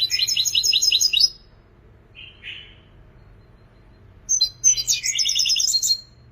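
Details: European goldfinch singing: a fast high twittering burst of repeated tinkling notes, a short buzzy phrase after a pause, then another dense run of trilled, chattering notes ending in a whistle.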